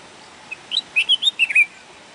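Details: A bulbul gives a brisk phrase of clear, liquid whistles, roughly seven notes stepping up and down in pitch within a second, against a low steady hiss.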